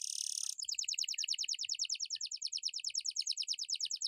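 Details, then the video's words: Canary singing to prompt other birds: a half-second buzzy rasp followed by a long, fast, even trill of repeated bubbling notes, about seven per second. "KENARI GACOR COCOK UNTUK PANCINGAN DAN MASTERAN, BURUNG DIAM AUTO IKUT BUNYI!!!"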